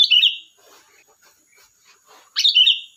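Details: Lively sooty-headed bulbul song: two brief bubbly warbled phrases, one at the start and one near the end, separated by soft faint chatter in a quiet setting.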